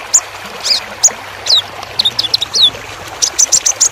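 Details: High-pitched sunbird song, local name kolibri ninja, made as a training track: crisp staccato chirps and short downslurred whistles, then a fast run of evenly spaced high ticks near the end.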